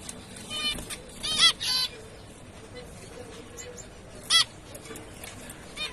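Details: Zebra finch calling: brief nasal beeps, some doubled, come at irregular intervals over a soft hissing background, with a longer pause before a final call.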